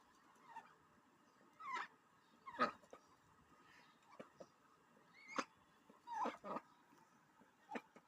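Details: Domestic duck at home after its bath, giving soft nasal calls every second or two, some with a bent, rising-then-falling tone, separated by quiet pauses and faint indoor rustling.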